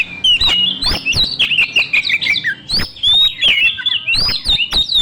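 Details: Oriental magpie-robin, a young forest bird, in lure song used to stimulate other birds. It gives loud, rich whistled phrases with sweeping, slurred notes, mixed with sharp clicking chips and quick chattering bursts, all delivered without pause.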